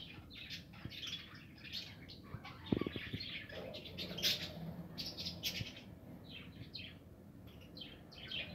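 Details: In a 2020 aviary with nests, budgerigars chatter in quick rising and falling chirps and squeaky warbles, many voices overlapping, with one sudden knock partway through.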